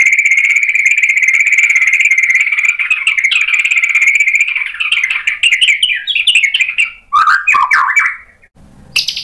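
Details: White-rumped shama provoked into song: a long sustained trilled buzz holding steady for several seconds, breaking into rapid warbled and chattered phrases, then brief high notes.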